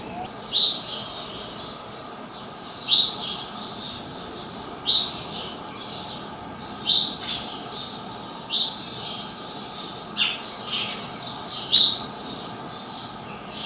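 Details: House sparrow at Praia de Pipa, Tibau do Sul, Rio Grande do Norte, Brazil, uttering short loud chirps about every two seconds, isolated sharp high notes separated by quiet gaps.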